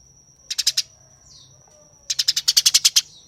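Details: Eurasian tree sparrow fighting: two bursts of rapid, harsh, scratchy chirps, first four notes then about ten tightly spaced ones, over a steady high thin whine between bursts.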